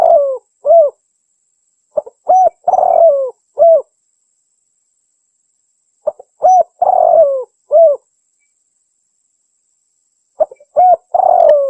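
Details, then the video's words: Local Javanese spotted dove (tekukur) singing in the prized anggunan style: low, mellow cooing phrases, each a short note, a couple of rounded coos and a long drawn descending coo, repeated about every four seconds. "SUARA TEKUKUR POPULER ANGGUNAN LEGENDARIS || TEKUKUR LOKAL ASLI ANGGUNAN JAWA"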